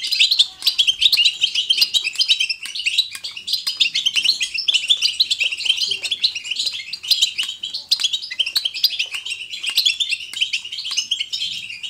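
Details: Lively natural batbata of a European goldfinch, used to prompt goldfinches to sing: a long unbroken stream of rapid, high, jingling twitters and buzzy trills, with sharp clicks scattered through.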